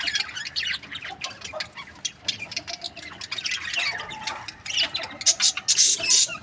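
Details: Budgerigar breeding pairs: quieter, busy overlapping chirps and scratchy notes that grow louder and harsher toward the end.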